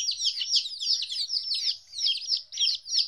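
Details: Two-week-old chicks away from their mother for the first time produce a steady wash of shrill, overlapping peeps that swell and dip, faint low hum beneath.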